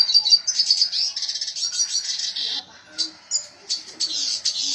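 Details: Energetic 'gacor' red siskin song: a rush of high buzzy twittering at the start, then thinning into separate sharp chirps and short trills.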